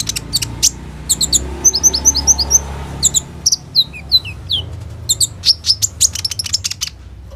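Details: Kolibri ninja, a caged Van Hasselt's sunbird, singing actively with borrowed trill phrases as a lure for other birds, phone recording: sharp high tweets, then a run of quick downslurred whistled notes, then scattered chirps.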